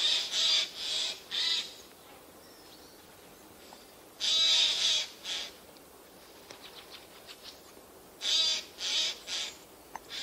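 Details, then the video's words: Eurasian jays concealed among spruce trees, 13 September 2024; grating screeches in groups of two or three, separated by quieter pauses with faint softer background bird notes. "Голоса соек"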